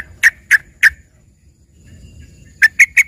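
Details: Yellow-vented bulbul with trained fill-in song that resembles a lively greater green leafbird. Three spaced, sharp chirps, a quiet pause, then four quick rising chirps in a short run.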